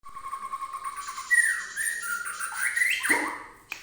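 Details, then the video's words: Agitated white-rumped shama singing to provoke other birds: steady whistled notes, then loud sliding whistles that rise and fall, ending in a sharp downward sweep. "suara pancingan murai emosi"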